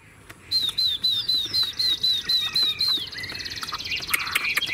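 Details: Tame Chinese hwamei in a cage delivers a brisk series of about ten high, clear downslurred whistles, four to five per second, then a dense rattling buzz mixed with lower chatter.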